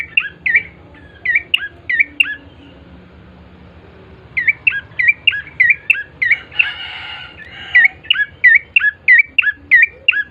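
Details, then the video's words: Bar-winged prinia singing as a lure to start other birds calling: bursts of crisp, repeated chirps, a pause, then a long fast sequence, briefly overlapped by a short noisy rustle. "pancingan prenjak coki GACOR❗ agar cepat bunyi"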